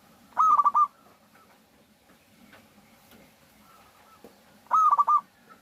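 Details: Persistent local zebra dove singing as a lure for other doves: two bright cooing phrases about four seconds apart, each a sustained note dissolving into fast rolling pulses, with soft ticking and faint cooing between.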